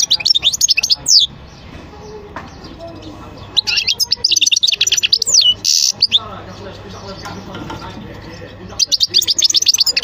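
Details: European goldfinch song arriving in bursts of rapid, high, liquid twittering and short trills, separated by quieter gaps with a low hum and faint murmuring; a brief loud rushing noise near the middle.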